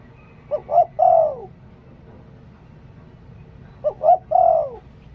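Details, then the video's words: Spotted dove kept as a decoy bird, singing in the style called Liu Tan: a short cooing phrase of two quick notes and a longer note that slides down at the end, given twice about three seconds apart over a low background rumble. "หลิ่วตัน เสียงนกต่อ นกเขาใหญ่"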